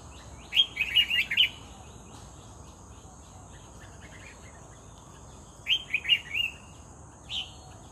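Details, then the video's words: Red-whiskered bulbul, a vigorous singer taken by lure, giving two short bubbling phrases of several quick liquid notes about five seconds apart, then a lone note, with quiet hiss between. "MERBAH JAMBUL GACOR"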